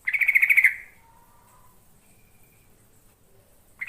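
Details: Yellow-vented bulbul song used to lure birds: one loud, quick burst of rapidly pulsed chattering notes lasting under a second, followed by quiet with a few faint tones and another burst just starting at the end.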